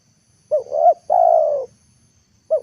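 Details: Spotted dove decoy calling on an afternoon to bring wild birds down to earth. A clear double hoot is followed by a long, level coo. The first note of the next phrase begins at the end.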